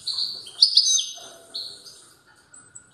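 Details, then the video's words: Strong song of a European goldfinch: a rapid run of high, tinkling twitters with a fluid trill in the middle, then fading to a few thin, high notes. "تغريد قوي لطائر الموقنين"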